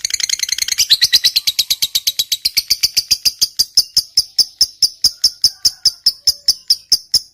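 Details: Fighter-type lovebird in long 'ngekek panjang' chatter, played as a singing lure: a dense fast rattle at the start slows into crisp, separate high chips spaced regularly to the end.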